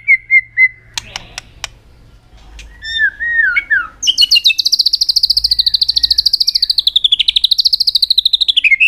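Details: Aggressive display song of a white-rumped shama, tail flicking to provoke other birds: a few clicks and descending whistles, then an abrupt switch to a very high, fast, wavering trill that rises and dips for nearly five seconds.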